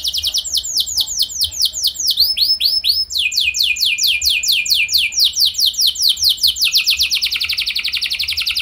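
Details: Canary singing as a lure for other canaries: continuous fast series of high downslurred notes, shifting tempo between phrases, ending with an accelerating, tighter trill.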